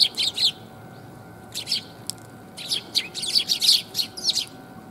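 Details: Sparrows approaching to be fed on 5 December 2021, heard on the way out: loud, close, rapid bursts of high chirping, several birds overlapping, with a faint steady tone in the background.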